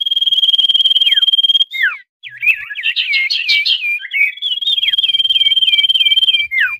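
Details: Common iora lure call for catching wild birds: a long, high, rapidly pulsed trill with falling slurs, a brief gap, then jumbled looping whistles and another trill carrying repeated dipping notes.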